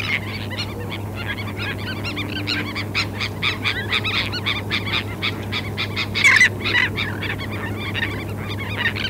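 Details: A busy group of terns on a South Carolina sandspit at Murrell's Inlet, April 2017, parabolic recording; rapid chorus of grating, scratchy calls, one louder harsh burst near the middle, steady low rumble underneath.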